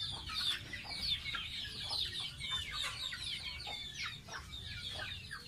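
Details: Baby pet goose in the bath, peeping shrilly and nearly nonstop, each note a thin downward slide, roughly one to two per second with quieter overlapping notes.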